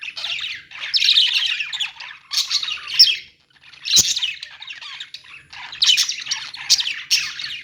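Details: Budgerigars in a pet store give harsh, buzzy chirps and squawks in clustered bursts separated by short quiet gaps, one near the middle, with a few sharp tapping clicks.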